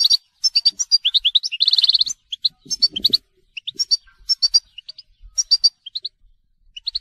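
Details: European goldfinch singing telqam, lively strings of clear chirps with a fast buzzy trill early on, continuing in repeated twittering phrases, with a faint low rustle midway.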